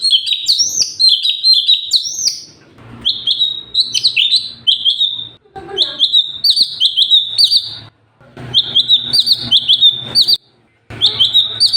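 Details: Sooty-headed bulbul (cucak cungkok), 'super gacor' song meant for training other cage birds: bursts of high, flicking whistled notes separated by brief pauses, with a faint low hum underneath.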